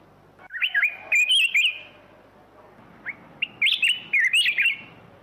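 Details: Black-crested bulbul giving two runs of rapid, chattering warbled notes, lively up-and-down whistled phrases separated by a short silence, loud and somewhat distorted, with a quiet background.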